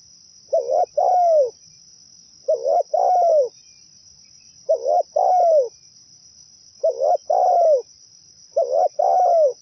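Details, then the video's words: Lure song of a zebra dove for bird trapping: five evenly paced phrases about two seconds apart, each a short burbling note and a longer soft coo dropping at the end, steady high whine throughout. "Suara pikat burung perkutut paling mantap"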